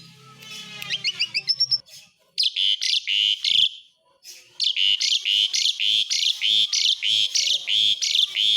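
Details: Asian pied starling in besetan: an opening fast series of rising trilled notes, then long runs of loud, harsh chatter pulses delivered about three or four per second after a brief pause.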